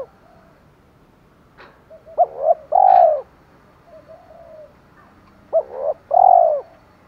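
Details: Decoy-style calling of a spotted dove in the 'thổ pha thúc' manner for attracting wild birds: two phrases of clipped rising notes ending in a long, deep, arched coo, separated by quiet murmuring and a click.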